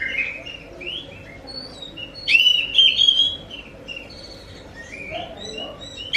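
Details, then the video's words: Oriental magpie-robin song played to provoke a reply from other kacer birds: short whistled notes, then a loud burst of bright slurred whistles in the middle, fading to softer warbles with light background hiss. "Pancing burung Kacer anda dengan suara burung ini"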